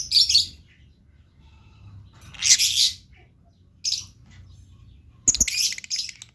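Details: Blue lovebird singing (gacor): three or four separate bursts of shrill, raspy twittering spaced over several seconds, with a quiet low background hum.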